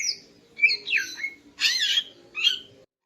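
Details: Morning song from a female greater green leafbird, meant to arouse a male: a few loud, harsh, wavering squawky phrases separated by short gaps, over a faint low hum.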